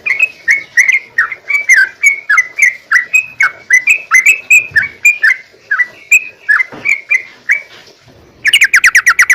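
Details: Sooty-headed bulbul singing, played as a lure so other bulbuls answer at once: a steady run of short, clear whistled notes repeated about twice a second, ending in a rapid burst of bright chirps.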